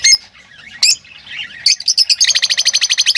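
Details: Lovebird chirps: a few sharp squeaks, soft twittering, then a rapid even series of clipped high notes, about six per second.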